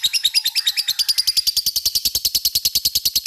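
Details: Rapid ngekek chatter from a lovebird, meant to prompt an answer from other lovebirds: evenly spaced, gritty notes at about eight per second, steady and loud across three seconds.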